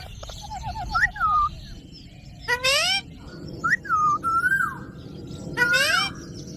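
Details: Green ringneck parrots, shown dancing, give clear whistled notes and drawn-out rising harmonic calls in short bursts separated by pauses, with a low steady background rumble underneath.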